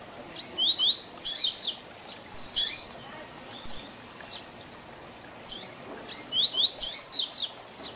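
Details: Training song for young double-collared seedeaters in the 'Tui Tui Zel Zel Diferenciado' style: two loud bursts of quick, high, sharply descending whistles, with scattered single notes between them and faint hiss.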